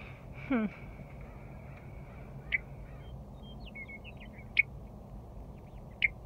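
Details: Western meadowlark newly returned to Rocky Mountain Arsenal National Wildlife Refuge in spring calls three separate sharp chucks about two seconds apart, after a lower descending sound from another source near the start.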